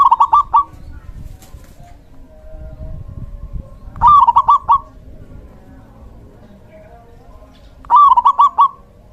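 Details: Male local zebra dove, recorded as a decoy call to draw in and stimulate other doves: rolling cooing bursts of fast notes spaced about four seconds apart, low noise between them.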